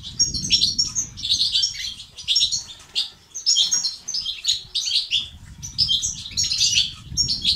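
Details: Male-stimulating European goldfinch song: rapid, high, chattering phrases with buzzy trills and sharp chirps, repeated in bursts over a low background hum.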